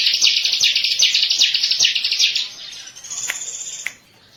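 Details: Bar-winged prinia, kept as a favourite bird, singing a dense, fast run of high chirpy notes repeated about two or three times a second, then fading into thinner high twitters near the end.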